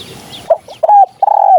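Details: Spotted dove coo used to attract birds for hunting: a brief clipped note, then two sustained low hoots, the last long and level.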